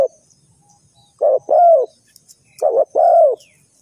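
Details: Spotted dove call used as a lure for bird trapping: two low, mellow coo phrases, each a short note then a longer arched croo, about a second and a half apart, over faint high insect-like hiss.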